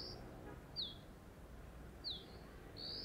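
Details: Four loud high notes from a Dark-grey bush chat sitting on a deodar twig at Jabbarkhet sanctuary, western Himalaya: whistles and steeply falling slurs spaced irregularly across three seconds, quiet background.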